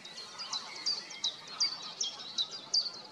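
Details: White-tailed eagle (Haliaeetus albicilla) recorded 23 March 2024 at Brzezia Łąka, Lower Silesia, Poland, giving a steady series of sharp, high yelping notes, about three per second, over a constant background hiss.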